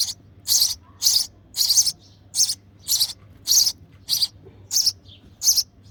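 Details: Sparrow nestling begging insistently during feeding in the nest, ten loud, scratchy, very high chirps in a fairly even series about every half second.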